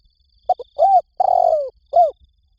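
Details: Spotted dove cooing, a recording used as a lure call: two short clipped notes, a mellow arched coo, then a long, slightly rough coo sliding downward, and a final rounded coo, all low and soft.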